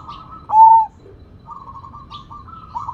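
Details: Big-voiced Sumbawa zebra dove: a single loud, clear, drawn-out coo, then a string of soft, rapid trilled coos rising slightly in strength, with steady low background rumble.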